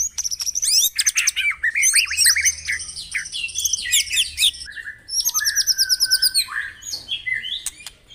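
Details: Morning white-rumped shama song played to make caged birds sing: busy, rapid bursts of sweeping whistles and chattering notes, then a steady fast trill and lower whistled phrases.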